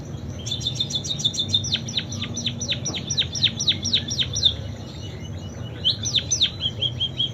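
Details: Munia singing a song filled with canary imitations: a quick string of high chips runs into a long series of sharply downslurred whistles, about four per second, then a pause and a brief return of swept notes over a low background hum.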